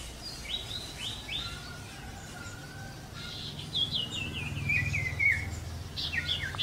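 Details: Wild sooty-headed bulbul song: three clear falling whistles at the start, then after a pause a cascading chain of bubbly slurred notes that descend in steps. Low rumbling noise runs beneath.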